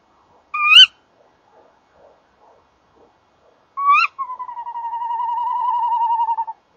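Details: Tawny owl pair calling at the nest box, 19:31 on 30 January 2014; a shrill kewick, a pause, another kewick leading straight into a long, evenly quavering tremolo hoot.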